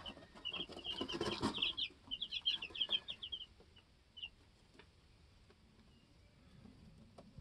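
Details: Two-week-old baby chicks in a homestead coop; a loud rustle of movement with a quick run of high peeps, tapering to a lone peep and quiet.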